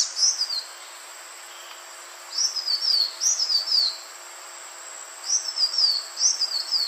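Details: Lure call of the green iora: clusters of high, wavering whistles that dip and fall, repeated in groups every couple of seconds, steady hiss underneath.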